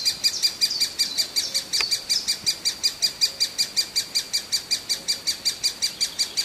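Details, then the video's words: Hungry great spotted woodpecker young calls for food in a long, very regular stream of piercing high chirps, nearly three per second, with a faint tick in the background. "Puiul de ciocănitoare pestriță mereu flămând"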